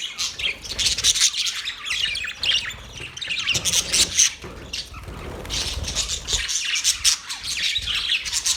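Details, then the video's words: Parrot chirping with sharp, high chirps and twittering trills piled on top of each other, dipping briefly near four and a half seconds before a loud, dense stretch of chatter returns. "Parrot Relaxing | Parrot sound | Parrot chirping sounds | Parrot voice | Parrot Talking voice"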